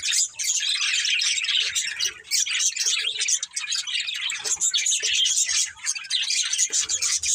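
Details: Budgies from a family flock chatter nonstop, a bright, fizzing blend of quick chirps, squeaks and warbled phrases overlapping throughout.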